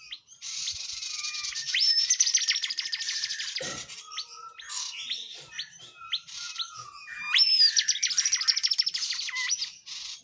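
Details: Tledekan jati in full gacor song for tutoring other birds: sustained fast high trilling with sharp upslurred whistles, a mid-clip run of varied chips and notes, then renewed trilling.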